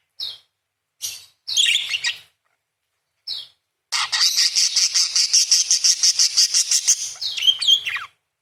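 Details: Parakeet in full voice with 'nembak panjang', 'beset' and 'crecet' roll material: brief high chirps, then a rapid, even trill of about three-second length with buzzy repeated notes, ending in a few thin whistled twitters.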